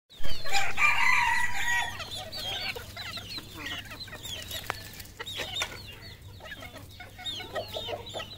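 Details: Red junglefowl at a farm in Cambodia: a loud, harsh, drawn-out crow-like call rings out over the first two seconds, then quieter scattered clucks and chirps follow over a steady low hum.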